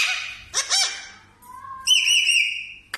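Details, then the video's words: Parrot in natural voice gives a raspy squawk followed by a clear, steady whistled tone held for about a second. "parrot natural voice sound"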